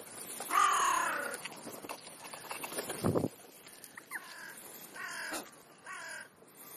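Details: Crows feeding on a late-morning snack between breakfast and lunch. One long, loud, hoarse caw is followed by several shorter, fainter harsh calls spaced about a second apart, with rustling and background noise.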